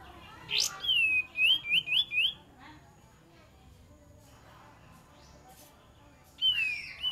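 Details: Lure recording of a cream-vented bulbul: a sharp rising note, then a quick series of five bright whistled downslurs, a pause of several seconds, and one more falling whistle at the end.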